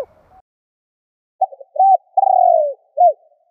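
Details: Spotted dove calling to provoke and lure wild doves: after a brief faint note, a short burst of low coos runs into a long rolling, slightly falling coo, then one final clipped coo. The recording is clean and quiet.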